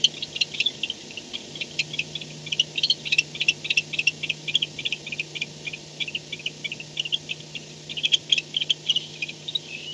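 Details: Barn owl at its nest cam site at 4:38 am on 2-10-16, returning home at night: rapid bursts of high, dry ticking chirps and short twittering notes, irregular and dense over a steady low hum.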